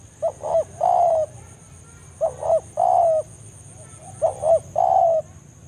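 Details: Three even phrases from a spotted dove calling a rival in the forest, each a short double note leading into a longer descending coo, used as a lure for trapping other doves.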